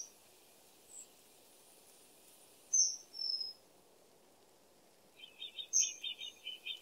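Shrill, thin high whistles, two drawn-out notes then one more a few seconds later, typical of a kingfisher, followed by a quick chittering series over steady stream-like rushing.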